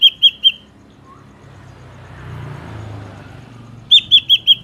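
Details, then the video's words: Ashy drongo song, a trapping lure: three quick ringing whistles, a pause filled with engine-like rumble, then five more evenly spaced bright notes. "PANCINGAN SUARA BURUNG SRIGUNTING"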